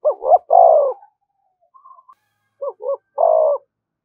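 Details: Continuously calling decoy spotted dove, provoking fights: a full phrase of two quick notes and a long coo, then a faint call, then a second phrase of two short notes and a drawn-out coo.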